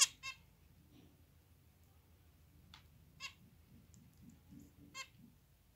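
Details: Zebra finch giving short, nasal, honking beeps spaced a second or two apart; recorded 2021.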